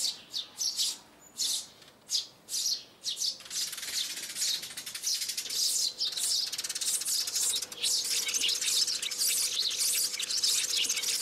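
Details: Sparrow calls recorded in January 2021 for use as a trapping lure, calling birds in and down to land: sharp, high chirps, first about twice a second, then a dense, continuous chattering chorus.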